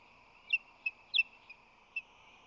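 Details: At an osprey nest on San Francisco Bay, March 2020, with the male carrying fish: five soft, clipped high chirps, one doubled, scattered irregularly over a steady low hum.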